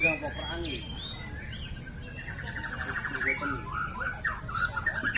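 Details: White-rumped shama, called a champion across all classes, giving rapid trilled runs and whistled notes after a brief murmur of voices at the start.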